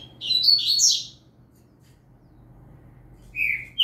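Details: Novice double-collared seedeater in firm song for training, green-winged saltator in the background; a rapid, scratchy high twitter phrase, a pause, then a clear downslurred whistle and a sharp note at the end.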